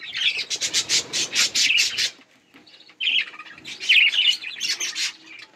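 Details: A budgerigar group eating and playing: a run of rhythmic, evenly spaced scratchy chirps, a short pause, then mixed warbles and bright whistled squeaks.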